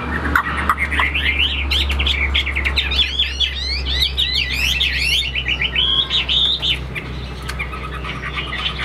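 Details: Caged Chinese hwamei kept as a fighting bird with wing-flaring display, singing a fast varied run of rich whistled and warbled phrases over a steady low electrical hum.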